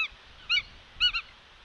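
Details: Bald eagles on a live nest camera at West End, 29 August 2022, mid-morning: short, high, thin chirping notes, one single then a quick pair, with near silence between.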